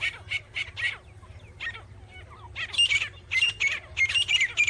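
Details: Grey francolin, known locally as teetar, calling outdoors: harsh, squawky notes in quick bursts, quieter and more scattered at first, then louder clustered repeats in the second half. A low rumble sits underneath.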